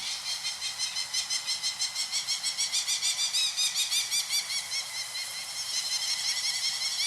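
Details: Two adult wild Peregrine Falcons on Mount Tom, Massachusetts, in 2015, attack and defend their chicks as a man descends the cliff to band them, giving a harsh, grating cacking, about three rasping notes a second in a steady run, with faint wind behind.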